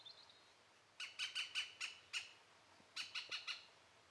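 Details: Green woodpecker call: six loud, ringing, laughing notes evenly spaced over about a second, a pause, then four more at the same pace, against a quiet background.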